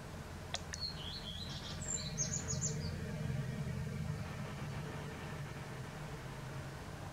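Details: A common redstart's morning song in western Poland in April 2020: one brief phrase, a clear high opening note, then a quick run of thin repeated notes ending in a twitter, over a steady low rumble.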